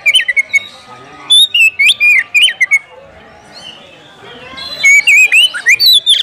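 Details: Oriental magpie-robin issuing a fighting challenge to a rival. Bright whistles, some rising and some falling, come in short clusters separated by quieter stretches of faint hum.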